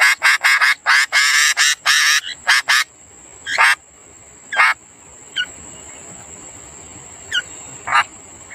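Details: {'caption': 'Young sooty-headed bulbuls beg while being fed by a parent. A quick run of loud, rough bursts gives way to a few sparse rasps and short, clear, down-slurred whistles, with a constant high whine behind.'}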